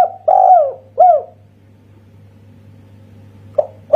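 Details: Indonesian local spotted dove finishing a kuk satu phrase with two mellow coos, the first long and gently falling, followed by a quiet pause and then the soft lead note of the next phrase. A steady low hum sounds throughout.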